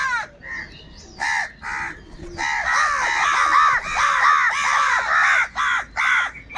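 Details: Several crows fighting for food call very loudly: raucous, grating caws in quick, overlapping bursts that merge into a continuous harsh clamor in the middle, then separate again into single caws.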